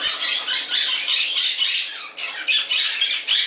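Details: Pet Moluccan cockatoo in a bird shop in Summerville, South Carolina, having fun, giving a steady stream of raspy, loud squawks, about three to four per second, with a brief dip midway.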